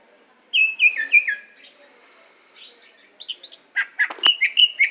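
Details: Greater green leafbird from Aceh, a competition bird, opens with a run of descending whistled slurs, pauses, then mixes high buzzy notes, sharp clicks and short repeated whistles.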